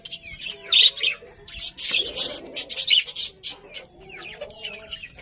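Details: Budgies chirping in a lively stream of raspy high chatter and short whistled notes, steady throughout with brief quieter moments.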